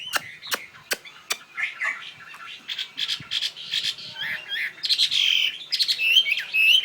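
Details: Caged fighting Chinese hwamei of northwestern Vietnamese origin, kept in Saigon, gives loud broken phrases of buzzy, slurred high notes mixed with sharp clicks, the bursts growing denser and louder toward the end.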